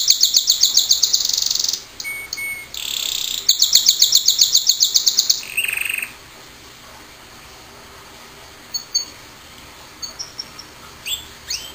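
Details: A pet canary singing: bright rapid trills of high repeated notes in bursts for about six seconds, a short sliding phrase, then quieter scattered chirps toward the end.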